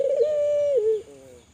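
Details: Vigorously calling Kelantan spotted dove, a recording meant to set other doves calling: a steady, hollow sustained tone that dips and trails off into a softer falling ending.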